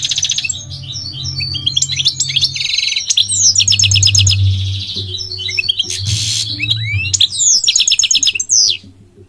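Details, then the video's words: Migratory goldfinch singing: bubbly twitters, buzzy notes and quick rattling trills in lively, uneven phrases. Brief noisy bursts and a low hum sit behind the song. "The elegant migratory goldfinch sings the most beautiful singing"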